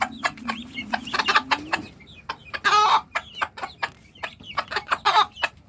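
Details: Hen calling her young chicks to food: rapid rhythmic clucking, a drawn-out low murmur early on, and two harsh noisy bursts amid the steady clucks.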